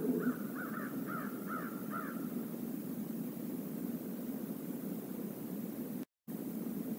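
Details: A murder of crows visiting the stream area near the Decorah North eagle nest on 28 November 2021, recorded by a live camera: about five harsh, fairly faint caws in quick succession, over a steady low rushing background.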